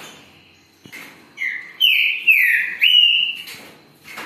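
A Green-winged Saltator sings a loud, rich whistled phrase of three or four slurred notes, falling then level, over about two seconds. The background is quiet.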